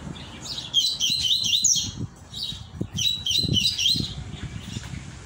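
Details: Rusty-collared seedeater returning from moult, sung in the "tui tui mosquito" style: high, thin, rapid twittering phrases in two bursts about two seconds apart, over clicks and rustling noise.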